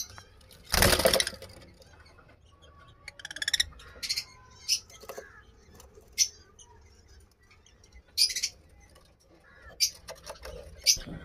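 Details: Masked lovebirds of the blue mask colour form, kept birds, giving short harsh high chirps in scattered bursts, with a loud rustling thump near the start and quiet background between calls.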